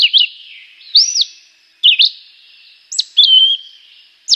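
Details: Chivi vireo singing varied short whistled phrases, an arched slurred note, a quick double note, then a longer level whistle, separated by short pauses.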